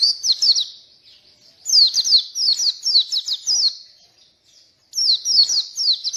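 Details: ['Energetic Oriental white-eye song, meant as a lure and model for white-eyes that are slow to sing; three bouts of high, sharp, slurred twitters separated by short silences.']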